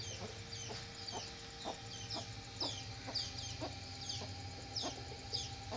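A Golden Buff chicken gives short clucks about twice a second, mixed with thin high peeps, over a steady low hum.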